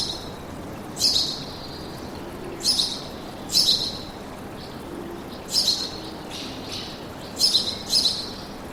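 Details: Forest birdsong with sharp, high chirping bursts coming in irregular clusters, each brief and bright, against a constant soft hiss like running water.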